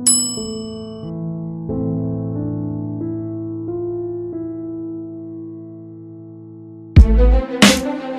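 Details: Sustained electric piano chords ring and fade, ending in loud metallic clangs and dings.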